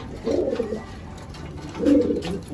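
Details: Newly bought Palla line pigeons giving two soft, low, rolling coos about a second and a half apart, recorded indoors.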